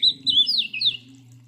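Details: A short burst of Oriental magpie-robin fighting song, meant to provoke rivals: a few loud slurred, falling whistled notes over a steady low hum.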